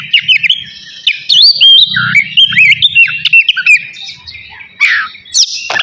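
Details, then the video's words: Magpie-robin of the navy kind in lively pre-bath song, mixing bright looping whistles, buzzy chatters and clicks; a faint low hum runs beneath the first half. "KACER NAVY GACOR SIAP MANDI"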